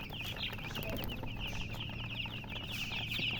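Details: Coloured baby chicks cheeping in a busy chorus of shrill, short slurred peeps that grow louder and denser toward the end, over a low steady hum.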